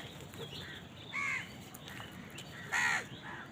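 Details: A crow at a feeding scene gives two brief, harsh caws, about a second and a half apart, against a noisy background with faint clicks and scattered softer sounds.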